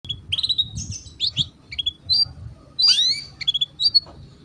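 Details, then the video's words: Caged canary being trained to sing sooner: quick high chirps and short rising tweets in irregular bursts, with a low background hum throughout. "kenari paud agar cepat bunyi"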